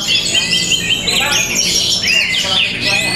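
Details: Orange-headed thrush in a cage at a Balinese bird competition in Tabanan, delivering a short burst of bright warbled song with rapid rising and falling whistles and squeaky trills, strong and continuous.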